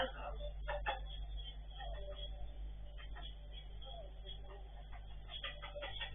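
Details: Blue-and-yellow macaw (Ara ararauna) talking, mimicking speech: rasping, speech-like phrases with short harsh syllables and breathy pauses, over a steady low electrical hum.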